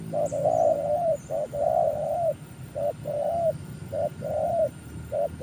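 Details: Spotted dove cooing, a recording used for luring wild doves; low hollow coos around 600 in paired phrases, a short note then a longer drawn coo, repeated steadily with faint background hum.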